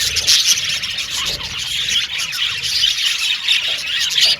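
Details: A flock of happy budgerigars in loud, squealing chatter, high tweets and warbles overlapping continuously with brief louder bursts.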